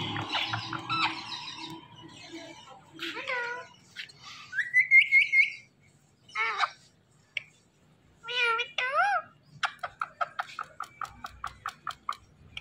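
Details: Talking pet parrot indoors giving a run of whistled and warbled notes: buzzy harmonic phrases, rising and falling sweeps, a long steady whistle, then a fast series of short sharp chirps near the end.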